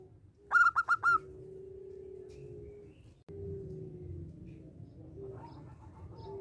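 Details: Local zebra dove song used to set other doves singing: one loud, rapid run of four clipped coos near the start, followed by quieter, drawn-out tones and a steady low hum.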